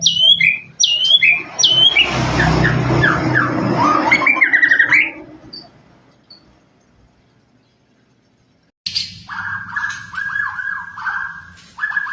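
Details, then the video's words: Murai batu, the white-rumped shama, singing a full-fill song: quick hooked high notes and a dense jumble of varied phrases, a pause of silence, then a buzzy, rattling series of mid-pitched notes. "murai batu"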